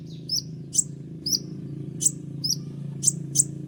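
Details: Indonesian kolibri ninja sunbird giving sharp 'tembakan' notes used for tutoring other songbirds: high piercing chips alternating with brief downslurred tweets, roughly every half second, over a low droning background.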